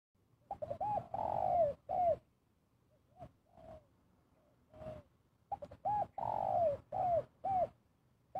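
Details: Spotted dove calling in the kuk dua style used for luring: two short hooked notes followed by a long, mellow descending coo, the phrase repeated after a quiet gap with softer single coos between.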